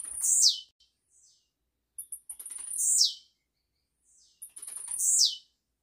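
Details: Blue-black grassquit recorded live to teach song to young birds, giving its short, very high buzzy song, a dry zip falling at the end, repeated about every two seconds.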